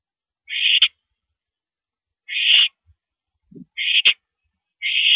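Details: Owl recorded on 13 April 2012 at 9:17 PM around a mouse delivery, giving raspy hissing screeches at irregular intervals, with soft thumps and low scuffling sounds between them.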